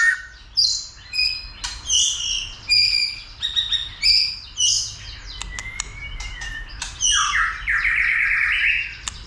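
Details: White-rumped shama excited into singing and fighting display; a rich sequence of high whistled phrases, a long wavering whistle, then a harsh buzzy rasp closing the clip.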